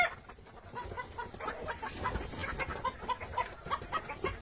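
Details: Five-month-old Fayoumi laying hens kept for sale, giving a series of short clucks, roughly evenly spaced and growing more frequent in the second half, over a background of low rumbling and faint chatter.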